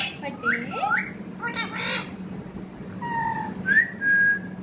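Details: A talking parrot gives short rising and falling tonal syllables with harsh bursts, then clear level whistled notes near the end, over a steady low background hum.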